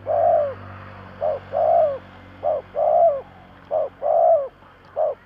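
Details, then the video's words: Lure spotted dove cooing 'thúc gù' to attract wild birds: deep, rounded coos in paired pattern, a brief note then a fuller sustained one, cycling steadily against faint low background drone. "Tổng hợp chim cu gáy thúc gù / Cu gáy kích mồi Cực chuẩn / Tiếng cu gáy kích bổi nhanh nổi"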